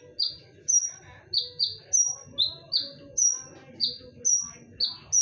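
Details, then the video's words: Shrill, clear whistles of a konin used as a lure. Down-slurred notes, often doubled, alternate with level higher notes, roughly two per second, over soft low background noise. "SUARA TAJAM DAN NYARING / BERANI DENGARKAN SUARA PANCINGAN KONIN INI??"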